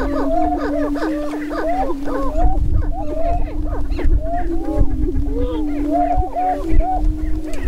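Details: Many Greater prairie-chickens calling together on a lek in northwest Minnesota near Crookston, April 27, 2013, during the annual spring mating ritual. A dense, steady low moan runs under a busy stream of short rising and falling whoops and cackles.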